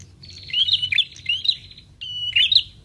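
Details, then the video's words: Lure call used to attract prinias, with two quick bursts of high chirping. A buzzy, rising note leads into a twittered flourish, and a faint low rumble runs underneath. "PRENJAK LANGSUNG NYAUT DENGAR SUARA PIKAT INI"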